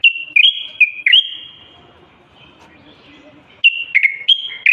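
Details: Common bulbul, Moroccan type, in steady song meant to make males sing and ready females for breeding and nest building. Crisp whistled notes open and close the clip, with about two and a half seconds of near silence between.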